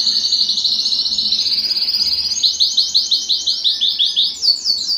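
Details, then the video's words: Canary song used to excite hens for breeding: a fast steady trill, then slower loud swooping notes repeated about three per second. "صوت الكناري الاصلي ( صوت جبار يحفز الذكر ويهيج الأنثى للتزاوج )"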